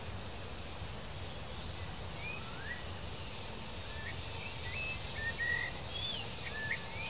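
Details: A male blue dacnis gives soft, thin chirps and brief upslurred whistles that start sparse and grow busier toward the end, over a constant low environmental hiss.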